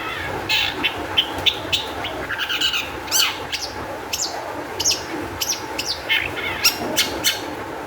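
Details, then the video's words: Used as a lure so other shrikes will sing, this long-tailed shrike song is a rapid, varied run of chirps, buzzy notes and short whistles with few gaps, set against a faint background drone. "cendet gacor EMOSI TINGGI cocok untuk PANCINGAN CENDET AGAR BUNYI"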